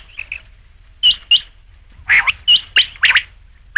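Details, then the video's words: Rain quail: faint soft pips at first, then loud sharp doubled notes in quick succession, ending in a rapid run of rasping calls. "batair ki awaz raat ke liye | rain quail sound"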